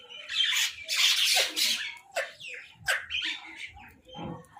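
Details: Crow food call: loud, rasping, drawn-out caws, two long harsh notes followed by shorter grating calls in an uneven burst, with some lower chatter near the end.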